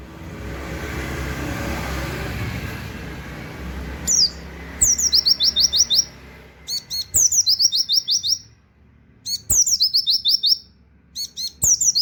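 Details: Oriental white-eye song in the 'tembakan wit wit kenari' style, meant for tutoring other songbirds. Soft background hiss opens, then bright high phrases begin: a falling lead note and a quick run of clipped notes, repeated about every two seconds.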